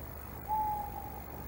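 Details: A Tawny owl somewhere around the Loch of the Lowes webcam site in Scotland gives a single steady, hollow hoot held about half a second before fading, over a low background hum. Tawny owl.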